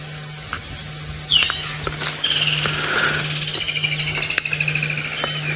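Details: On a sunset safari drive around 4:30 PM on 28 December 2017 in the Sabi Sand area near Kruger, South Africa, a few distant woodland kingfishers give a sharp note, then a long, high, slightly descending trill over a low engine hum.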